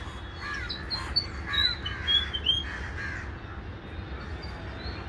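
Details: Grey fantail song: a run of thin, high, sharp squeaky notes, some rising and some falling, given in quick succession for about two seconds, with crows cawing more softly behind and steady background hiss.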